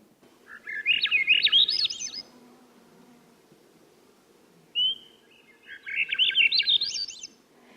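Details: Male Swainson's thrush song, given once females arrive about two weeks after males: two flute-like upward-spiralling phrases, each about a second and a half, separated by a short whistled note; faint low background hum.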